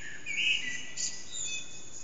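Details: Eurasian blackbird at about 4:30am in an echoing backyard, unseen, recorded by HTC Desire phone; a short rich fluted phrase followed by a faint high scratchy twitter, with soft constant background hiss.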